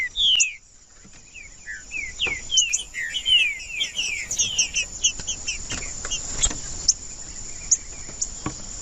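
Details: Green-winged saltator song used by breeders to warm up a cold bird: an opening falling whistle, then a rapid, rich string of downslurred whistled notes, tapering to scattered high ticks over a continuous shrill drone.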